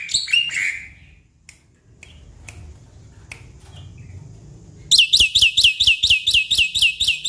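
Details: Black-winged myna song used to coax a stressed bird that refuses to sing. Faint scattered clicks come first, then a loud run of about a dozen harsh, buzzy, rapidly repeated chattering notes.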